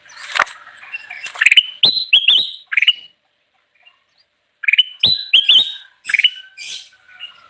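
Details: Ruby-throated bulbul in lively song for luring wild birds: two phrases of quick, bright, upslurred whistles with clicks, separated by about two seconds of silence.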